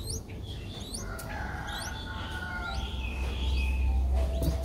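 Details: Begging from a five-day-old Streak-eared Bulbul nestling in Ubon Ratchathani, Thailand, 7 April 2023. High rising squeaks, often doubled, repeat quickly, with a faint lower whistle and a humming background.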